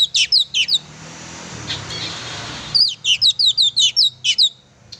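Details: Oriental magpie-robin in full song, played to rouse a pet bird of its kind: sharp, high, looping chirps delivered in fast series, broken by a short stretch of hissing background noise.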